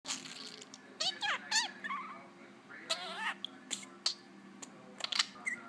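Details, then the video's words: A pet parakeet chatters in quick, scratchy bursts with warbled, up-and-down whistles and mimicked speech-like phrases, several per second with short pauses; the owner says he says "bubbie bird" and maybe "hello." "Parakeet making weird noises and talking"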